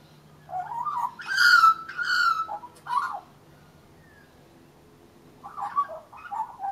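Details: Young brown-and-white leucistic Australian magpie singing on a railing: loud slurred carolling notes with harsh overtones, then a quiet pause and a softer run of warbled phrases.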